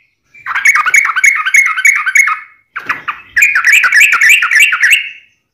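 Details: A yellow-vented bulbul pours out two long runs of fast, scratchy chatter, notes crowded together, broken by a brief gap.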